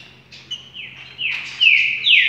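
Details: Short burst of rufous-collared sparrow 'trinca' song: thin whistled notes building in loudness into sharp downward-sliding slurs near the end.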